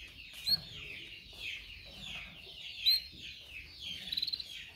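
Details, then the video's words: Caged canary singing as a training model for other canaries: soft rolling high twitter with brief bright whistled accents, then a quick rattle of ticking notes near the end. "Canary training 0.25 Hour canario canary song"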